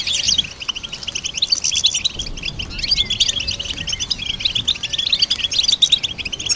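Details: Goldfinch chorus of rapid, bright, high-pitched chirps and twitters packed closely together, with a few slurred whistled notes and a faint steady background hum.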